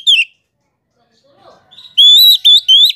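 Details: Oriental magpie-robin song used as a lure to make other magpie-robins answer: a short downward whistle, a faint low murmur, then long clear sustained whistles broken by brief pauses.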